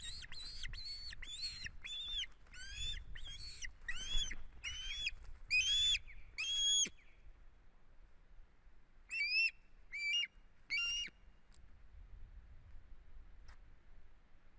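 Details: Osprey at a nest in Estonia on 1 September 2016, moving its head strangely while calling: a burst of ten quick whistled, arched notes, a pause, then three more similar notes.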